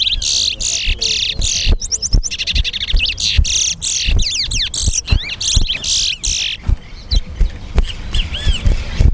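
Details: Competition song from a chestnut-bellied seed finch (towa towa) at the Guyana National Stadium. Bursts of fast whistled sweeps and trills alternate with harsher buzzy phrases, against steady crowd murmur.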